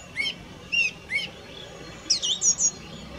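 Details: Song thrush repeating one upward-flicked whistle three times at even intervals, followed by a quick run of high, bright notes.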